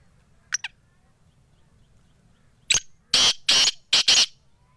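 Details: Black francolin from Sindh: a faint double note, a pause, then a loud series of harsh, raspy broadband bursts, a short lead-in followed by four grating notes, the final two nearly joined.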